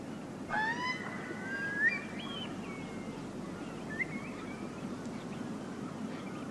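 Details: Eurasian Curlew giving untypical hoarse calls, with oystercatcher, redshank, gulls and snipe around: a harsh harmonic note rising into a drawn-out buzzy call, then fainter short upslurred notes over steady low rumble.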